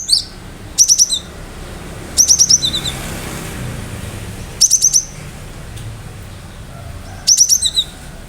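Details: Cinereous tit in full, lively song with sharp shooting notes: short bursts of four to six high, clipped whistles followed by a lower note, coming about every two to three seconds over a quiet low hum.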